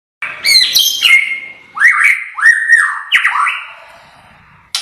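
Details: White-rumped shama in extreme full-volume song: loud rich whistled phrases, rising and falling slurs with sharp high clicks between, delivered in separate bursts of about half a second.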